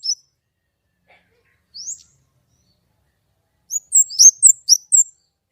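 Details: Sparse white-rumped shama song: two isolated high upslurred notes separated by silence, then a short rapid burst of high whistled, twisting notes near the end.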